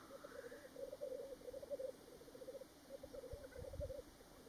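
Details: Black grouse at World's End, Ruabon Moor, North Wales, on 25 March 2018 give a low, dove-like bubbling roll in long runs of rapid notes, with a brief higher hissing note early on and some wind bumps.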